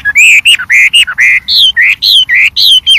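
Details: Wild white-rumped shama singing a varied song of loud, clear whistled notes, some level and some rising or dropping, spaced about a quarter second apart with crisp pauses between.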